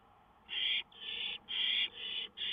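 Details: Songbirds, dated 5-9-2013, make a run of five rasping, buzzy high bursts, each roughly a third of a second long with brief gaps, loud against faint background hiss.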